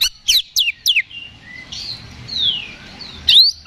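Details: Oriental magpie-robin in fighting mode, sound used to provoke a response: three quick steeply falling whistles, then sliding whistled notes and a slurred rising phrase ending in a loud sharp upward note.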